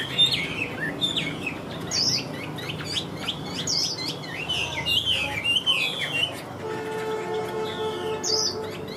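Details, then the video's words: Chinese hwamei in a cage, singing vigorously: a steady stream of varied whistled and chirping notes, some sharply upslurred, while a steady humming tone sounds in the background toward the end. "Treo Ra Là Hót Như Máy"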